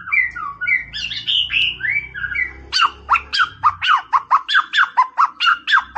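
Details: Masteran song of a white-rumped shama, used to stir a rival: varied whistled phrases, then a steady series of loud sharp chipping notes repeated about three times a second, over a low background hum.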